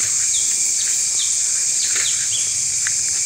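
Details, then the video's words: An unidentified leafbird species calls while perched beside a road near Thattekkad Bird Sanctuary, Kerala: short, high whistled notes, about two each second, over a steady loud insect drone. "ലീഫ് ബേർഡ് ഇരുന്ന് കരയുന്നുണ്ട്, ഇലക്കിളി."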